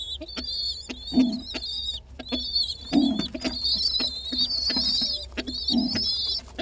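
A young pigeon gives thin, high, wavering squeaks, repeated in short bursts, while deep soft coos sound underneath every few seconds.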